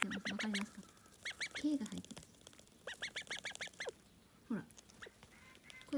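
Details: Call duck chick with a newly changed voice, noticed after three hours away: clusters of high peeps mixed with short low croaking quacks and a few sliding notes, quieter gaps between bursts.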